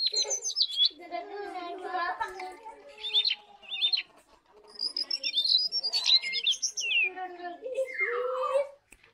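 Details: Lesser shortwing singing: a varied jumble of thin, high whistled and twittering phrases, some sliding downward, mixed with lower warbled notes and short pauses, loud and close throughout.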